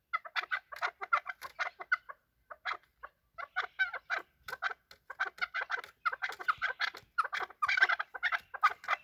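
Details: Chukar partridges fighting and calling: dense, rapid series of harsh clucking chuk notes, irregular bursts packed closely over the whole stretch with brief pauses, mid-pitched and scratchy.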